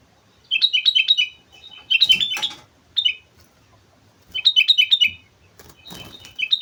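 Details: Sooty-headed bulbul in lively song on Mount Slamet, delivering repeated bubbly phrases of bouncing whistled notes, broken by loud rustling knocks and a few softer notes between.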